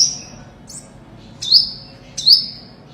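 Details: Olive-backed sunbird song used to lure birds for trapping: a few thin, very high notes, two of them louder, with a quick downward slur and a trailing whistle.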